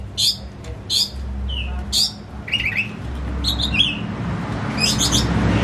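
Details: White-rumped shama kept at home as a hobby bird, song used as a lure to make a silent shama open its beak and sing; varied whistled phrases and rapid chattering bursts at irregular intervals over low background hum.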